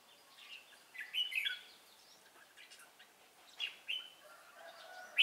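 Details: Red-whiskered bulbul, 'Cánh ruồi' type with a good voice, recorded while trapping on 3 March 2017; two bursts of quick, bright warbled notes about two seconds apart, separated by quiet hiss, with a sharp click at the close.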